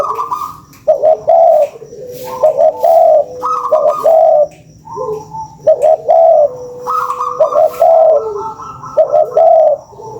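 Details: Lure recording of spotted doves: repeated low, mellow coo phrases, each a few rolling hoots, following one another closely over ten seconds with overlapping voices and a faint steady background tone.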